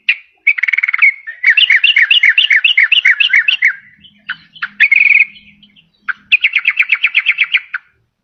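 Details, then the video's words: Sooty-headed bulbul song used as a lure for trapping wild birds and for prompting reluctant caged birds to sing: bubbly chattering phrases of quick, evenly repeated notes in bursts, with short pauses and a faint low hum in the middle. "SUARA PIKAT BURUNG TRUCUKAN PALING DI CARI || BISA JUGA BUAT PANCINGAN TRUKAN MALAS BUNYI."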